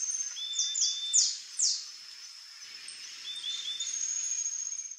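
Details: Free-living saffron finch at a creek giving a short burst of four or five bright, high, downward-sweeping notes, then a thin level whistled tone over constant high-pitched background hiss.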